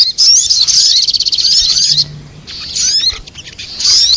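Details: Sogok ontong, a sunbird, in a lure sound for bird trapping: a long, rapid, high trill of buzzy twitters, then two shorter bursts of thin, slurred chirps after a quiet gap.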